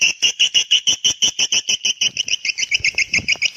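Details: Swiftlet call for calling young swiftlets: a fast, even series of bright, clipped chirps, about five per second, each with a clear ringing overtone, steady throughout with no other sounds.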